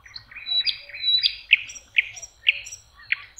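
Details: Lakeside common nightingale in May, singing in spring: a run of loud, sharp, repeated notes at about two per second, each a clipped emphatic chirp with fainter thin whistles between. Faint low rumble in the background.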